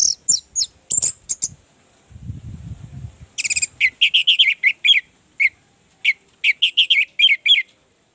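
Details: Orange-headed thrush song played to stimulate a reluctant caged bird to sing: sharp high chirps, then a quick run of rich whistled and warbled notes, with a brief low rumble between phrases.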